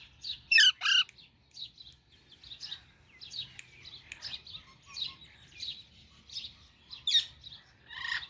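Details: Baby Alexandrine parakeet giving a pair of loud, harsh squawking chirps near the start, followed by a steady run of softer, high chirps repeated roughly every half second.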